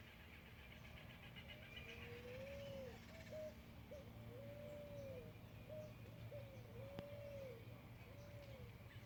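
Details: Early autumn morning birdsong in a village in rural central Buenos Aires Province, Argentina: low, soft arched hooting notes repeated in a steady series of about six phrases, with faint high twitters behind and a quiet countryside background.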